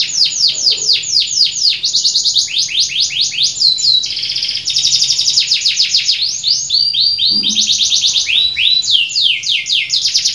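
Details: Canary in full, calm, persistent song, kept as an excellent tutor bird with fine phrase variations: long unbroken run of fast downward-sweeping notes, rolling trills and buzzy sustained phrases, with a soft low hum underneath.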